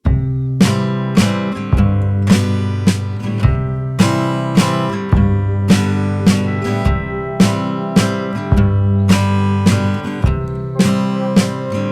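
Strummed acoustic guitar music with regular chords and no animal voice.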